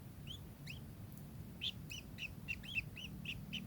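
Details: A kingfisher repeats arched, squeaky notes at roughly four per second, with low rumbling noise behind.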